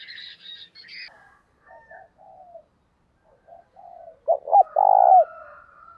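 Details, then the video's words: Spotted dove calling to lure other doves, with an urging voice; after soft scattered cooing, a loud phrase ends the stretch: two short clipped notes followed by a long drawn coo that drops at its close. "Chim cu gáy gọi hay kích bổi và tập mồi kèm giọng thúc rất sung"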